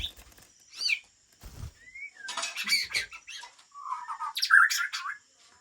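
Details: Aceh white-rumped shama, a breeding bird from Lamteuba, giving scattered sharp calls, a short rising whistle and harsh chattering bursts between quiet gaps, with a few low knocks.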